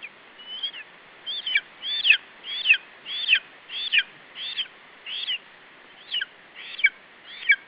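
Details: Lesser spotted eagle chick at a nest in Estonia, filmed 21 July 2012 around 17:12, guarding its food from a parent bird: a steady series of sharp, high, slurred yelps, about eleven in under eight seconds, with a light background hiss.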